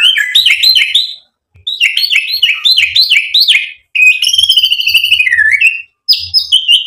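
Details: White-rumped shama in vigorous song as a lure to stir other birds to reply: quick, repeated upslurred whistles in rapid series, then a rich trilling phrase, with short pauses between bursts.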